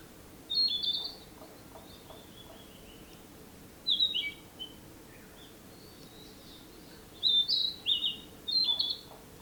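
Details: Song of a Narcissus flycatcher from 2017, delivered as short whistled, warbling phrases spaced a few seconds apart, each a quick run of high clear notes, fainter chirps audible in the background.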